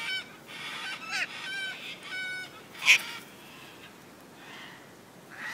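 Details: Wild cockatoos living in and around the Royal Botanical Gardens, Sydney, Australia: several short, harsh, raspy calls with strong harmonics, then a louder single screech near the middle, fading to quieter scattered rasps.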